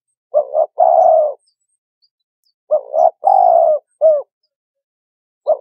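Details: Spotted dove coos used to attract birds for trapping: two phrases of a stuttered double note and a long rough coo, the second ending in a short hooked note.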